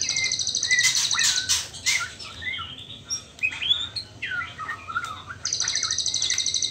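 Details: Spotted trotol-stage juvenile white-rumped shama, not yet at the pastol stage, pours out loud, varied chattering and twisting whistled notes, with a fast, high, rattling trill at the start and end.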